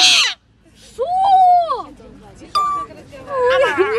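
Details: Grey parrot mimicking voices and sounds, giving a short harsh burst, a smooth arched whistle-like tone, a sudden clear high whistle, then a wavering voice-like phrase. People speak in the background.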